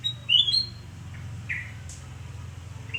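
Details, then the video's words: Morning song of a sooty-headed bulbul at a house in Surabaya, Indonesia, recorded 29 November 2017: one quick liquid whistled phrase followed by a couple of softer slurred notes against low background rumble. "Kicau merdu kutilangan emas Surabaya"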